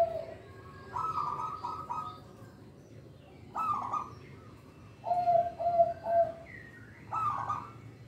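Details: Zebra dove song from a local perkutut, played to coax reluctant young birds into singing: short clusters of mellow coos separated by brief pauses, some notes slightly higher and rougher, over a low steady background rumble.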